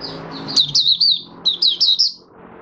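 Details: Recorded 20 January 2022, fifth day after monthly deworming, an oriental white-eye sings 'buka sing' with two tight bursts of about four high, wavering chirps each, over a low hum.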